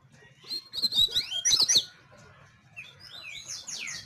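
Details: Seedeater (coleiro) song: a fast, bright sequence of high chirps and slurred notes for about two seconds, a short lull, then softer downward-slurred whistles.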